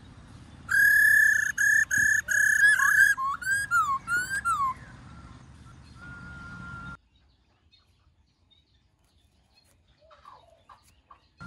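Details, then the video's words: A laughingthrush sings in many voices, with loud, clear whistled notes in quick repeated bursts, then slurred rising and falling whistles and a long steady tone, before fading to near silence; the song is used to stimulate and train other laughingthrushes. "Khướu Hót GIỌNG RẤT HAY- NHIỀU GIỌNG"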